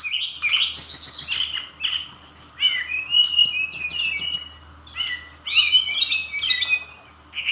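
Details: Brown-chested jungle flycatcher pouring out a rapid, continuous, varied song of chattering trills, whistled slurs and bright repeated high notes in dense phrases, with a brief lull midway.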